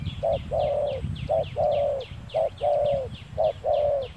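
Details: Spotted dove used in lure-bird trapping on a sunny day, giving a steady series of low hollow coos, each a brief note followed by a longer drawn-out one, four pairs about a second apart over a soft rural background.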